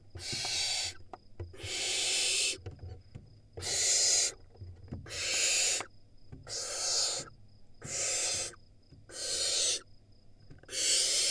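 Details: Wild young barn owls in an Israeli nest, caught on a birdcam, keep screaming at a sibling at the entrance. Eight harsh, hissing screeches, each about a second, repeat steadily roughly every one and a half seconds.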